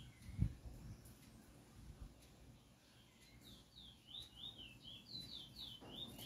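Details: Chestnut-bellied seed finch singing at close range; a sharp knock and scattered soft chirps come first, then a quick run of rising and falling whistled notes fills the last half.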